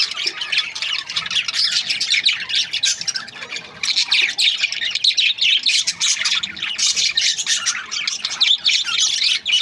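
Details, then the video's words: A crowd of budgerigars, Australian parrots housed as breeding pairs, pours out rasping, high-pitched chirps and squawks, dense and overlapping throughout. "Budgies parrot chirping sound | Australian parrot breeding pairs"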